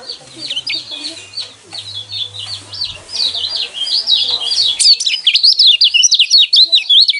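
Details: Yellow white-eye (pleci kecial kuning) song used to provoke caged birds into singing: rapid, high, chattering twitter of short, sharp chirps and slurred notes, growing louder and denser halfway through, with faint low hum and background noises.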